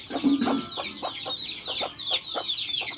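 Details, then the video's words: Hens with their chicks in a backyard: soft low clucks from a hen roughly every quarter second under a steady stream of thin, high, descending chick peeps. "Adorable backyard hens with chicks making adorable sounds!"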